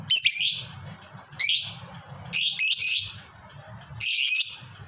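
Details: Lovebird of the fighter kind, known for long ngekek chatter and used to make other lovebirds call: four shrill grating shrieks about a second apart, each broad and buzzy, over a faint low droning hum.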